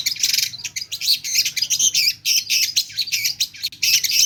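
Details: Long-tailed shrike pouring out a dense, continuous torrent of harsh, buzzy and chattering mimicked phrases, rapid and unbroken, loud and very high-pitched throughout.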